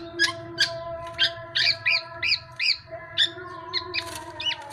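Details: Tame black-naped oriole giving repeated short arched chirps, about three per second and slightly irregular, with a constant humming tone underneath.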